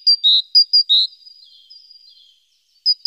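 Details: Great tit around the nest in the morning, 14 April, nest-box webcam: alternating high thin notes and lower fuller whistles, trailing into soft faint twittering before two final sharp notes.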